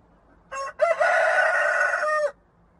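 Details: A single crow from a rooster: a short opening note, a tiny gap, then a long, steady, brassy note held for about a second and a half before cutting off cleanly, over a quiet background.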